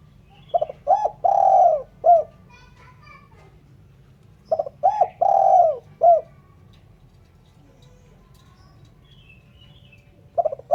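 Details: Spotted dove call suited to luring birds: clipped introductory notes, a long downward-bending coo and a short end note, repeated about every four seconds, with a few faint high chirps in the background.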